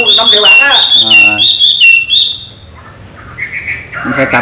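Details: Owner-trained pet Chinese hwamei that leaves its open cage and returns, giving bright whistled notes and a fast rolling phrase for under three seconds, overlapping a person talking, then near quiet with faint chirps.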